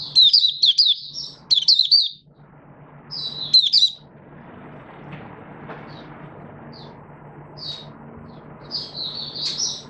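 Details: Malaysian oriental white-eye (mata puteh), a kept hobby bird not yet in form, in 'buka sing' opening song: bursts of high, thin twittering warbles over the first four seconds, then scattered single high chips over a faint low hum.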